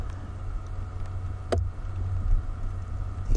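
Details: Deep engine rumble at a safari sunset, with one sharp click midway and faint wind; no animal calls.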